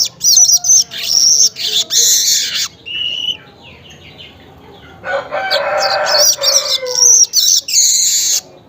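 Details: Weaver recorded early morning around 5:40 local time, giving bursts of high, buzzy, sizzling chatter in two long runs, with a rooster crowing loudly in the middle.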